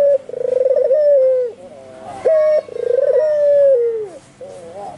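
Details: Vigorous coo calling from an albino white Barbary dove. Two phrases, each a fast stuttering trill that smooths into a drawn-out coo and falls at the end, separated by quieter wavering notes and a sharp clear note.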